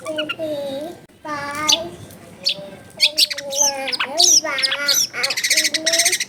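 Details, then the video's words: Long-tailed shrike singing, recorded at a home in a densely populated neighbourhood; a varied medley of harsh chattering notes, ringing harmonic whistles and sharp rising chirps, with uneven pauses between phrases. "CENDET GACOR SOLUSI PANCINGAN BUAT CENDET MALAS BUNYI"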